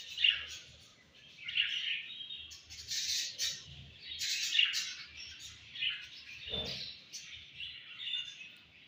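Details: Budgerigars during breeding season giving a steady run of buzzy, high chirps and warbled notes, rising and falling in uneven bursts about once a second, with one lower squawk near the end.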